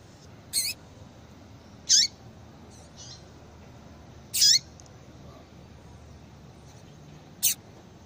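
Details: A female Yellow-bellied Seedeater calls repeatedly to excite a male for breeding. Four brief, piercing high chips come about two seconds apart, some ending in a downward slur, with a few weak notes between them over a quiet background hiss.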